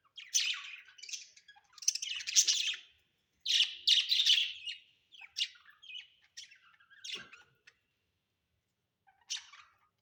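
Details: Pet budgies at home giving bursts of harsh, buzzy chirps and warbled chatter, broken by short pauses, with a last lone chirp near the end.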